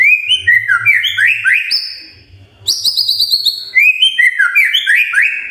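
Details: Magpie-robin singing in the morning to stir quiet birds into song: stepped, whistled phrases that rise and fall, then a high rapid chatter, then the stepped whistles return; a soft low hum runs underneath.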